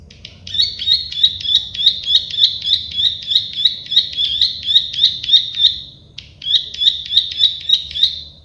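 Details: Plain prinia, the klik-klik bird, repeating quick buzzy clicking notes in a long steady series with one short break, over a faint rustling background.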